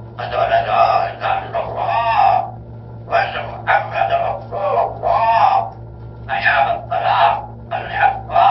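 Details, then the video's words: Parrot reciting Surat al-Fatiha and talking: speech-like mimicked phrases in short bursts of about a second, separated by brief pauses, with a steady low electrical hum throughout. "ببغاء يقرا سورة الفاتحه ويتكلم"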